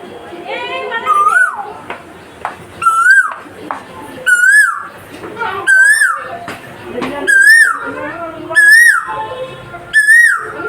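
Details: An Asian koel at a house gives loud, rising whistled notes, repeated about every second and a half.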